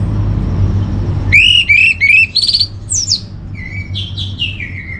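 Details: Orange-headed thrush master song played to calm and stimulate caged birds, northern Bali: after a low hum, loud rich whistled phrases with fast upward-sweeping notes, then descending slurred whistles and quieter varied warbling.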